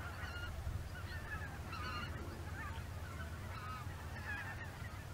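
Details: Greater white-fronted geese in formation flight before dusk near Izunuma, Miyagi, Japan, flying to feed again; softer, more distant chattering honks from many birds, heavy low rumble underneath.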